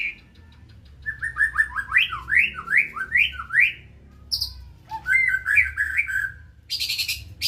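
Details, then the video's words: Medan-type white-rumped shama song: a rapid series of repeated upward-sweeping whistled notes, then buzzy high rattles and more slurred whistles, with harsh broadband bursts near the end over a low background hum. "Indahnya nih suara burung murai medan"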